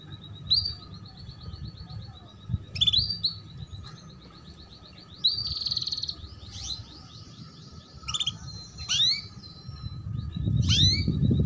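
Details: Female canary chirps to stimulate juveniles to sing and raise breeding drive: scattered rising chirps, a buzzy trill and thin whistles, with low rumbling noise swelling near the end.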